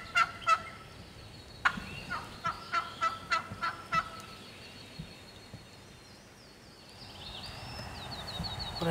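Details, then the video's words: Wild turkey hen calling alone in Georgia turkey woods: a few sharp yelps, then a quick raspy series over about three seconds, fading into quiet woodland background with faint higher bird notes. "Hear that old hen yelping and cutting and clucking like that."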